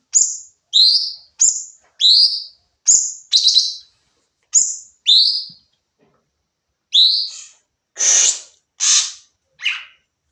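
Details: Sooty-headed bulbul, training recording of rapid 'nembak' singing: a series of crisp two-part chirps repeated about every half second, a pause, then broader harsh buzzy notes.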